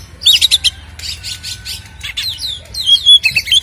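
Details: White-rumped shama song used to stir up caged birds: harsh chattering rattles and buzzy notes mixed with a few clear whistles near the end, faint hum below.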